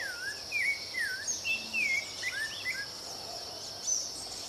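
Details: Rufous-bellied thrush in full song, a sequence of fluting whistled phrases with rising and dropping slurs, several notes per second, backed by a constant high-pitched insect drone.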